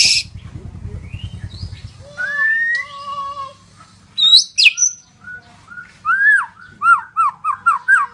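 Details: White-rumped shama, a Medan bird described as very active in song, gives varied whistled phrases: low rising and falling whistles, harsh high bursts, then a rapid run of repeated bright slurred notes near the end, over a low background hum.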